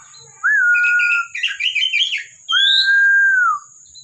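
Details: Kept Oriental magpie-robin (kacer) in full song: a sustained level whistle, then a burst of jumbled chattering phrases, then a second long whistle that rises slightly and falls at its end; steady high background whine.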